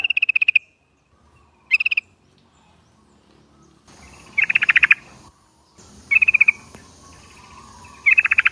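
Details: Yellow-vented Bulbul lure call for prompting a group to reply: five brief chattering trills of rapid pulses, unevenly spaced, some louder and fuller, over a low hissing background.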